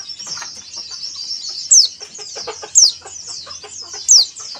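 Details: White-eye used as a lure to make caged birds sing and open their beaks. A thin, high twittering chatter runs throughout, broken by three sharp, loud downslurred notes roughly every 1.2 seconds. Faint lower clicks sit beneath.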